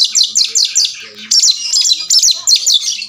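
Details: Oriental magpie-robin fighting and answering a rival, tail opened: rapid series of sharp descending chirps in quick bursts, pausing briefly near one second, then resuming with dense chattering phrases.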